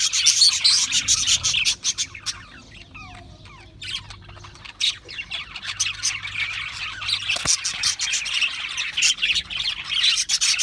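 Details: Chirping Australian parrots, with bursts of quick squawky chirps, a quieter stretch of softer twittering in the middle, then loud rapid chatter again.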